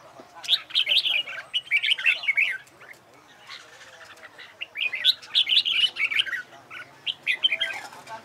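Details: Red-whiskered bulbul competition song used for contest practice: two dense bursts of rapid whistled chatter separated by a quiet second, some faint low murmuring beneath.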